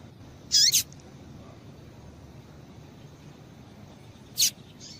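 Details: Calling female double-collared seedeater, used to warm up males into song: a tight double chip at the start, then a lone sharp high note almost four seconds later, with quiet hiss.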